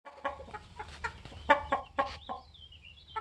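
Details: 21-week-old Polish layer hens with their protective rooster. Loud, rapid, uneven clucks are heard in bursts of short broadband notes, with a thin whistled bird song wavering high above them.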